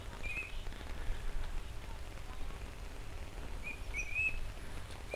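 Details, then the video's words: Eurasian teal, apparently several birds, on a stream in February 2012, giving short, high whistled "pyou/hyou" notes, one early and a quick cluster near the end, half buried under steady low rumbling wind and road noise. "(0)子ガモが鳴いてる、珍しい。こ"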